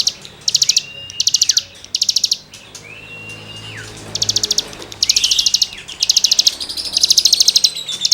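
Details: Cigun song for tutoring songbirds: clipped bursts of high rattling notes separated by drawn-out whistled tones that rise, hold level and then fall sharply, against faint background hiss.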